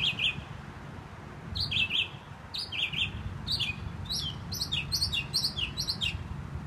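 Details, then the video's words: Northern mockingbird perched on a sign in Herndon, Virginia, singing bright, sharp repeated phrases, each note a quick downslurred chip, delivered in rapid clusters against a low rumbling background. "Singing Mockingbird"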